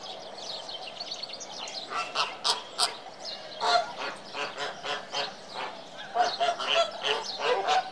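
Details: Flamingos honking together, a busy chorus of nasal, harsh calls repeated several times a second, rising and falling in loudness.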